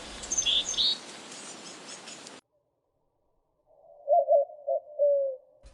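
A white-winged dove gives a low, hooting coo of four quick notes ending in a longer, drawn-out one. Thin, high chirps from another bird come before it.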